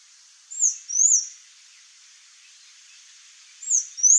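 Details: Sayaca tanager, Thraupis sayaca, uttering two pairs of very high, thin, slurred squeaks about three seconds apart over a faint steady hiss.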